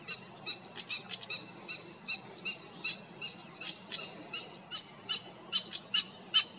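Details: European stonechat (Saxicola rubicola) in the Cértima river valley, Águeda, Portugal, on 28 June 2022, giving rapid hard ticking calls like knocked pebbles, several per second, mixed with thin high whistled notes.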